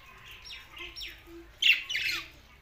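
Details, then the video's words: Budgies in Larkana, Sindh: a few thin, sliding chirps, then two louder, harsher chattering bursts near the end, over a quiet background. "Parakeet's Watihe Budgies Parrot Talking"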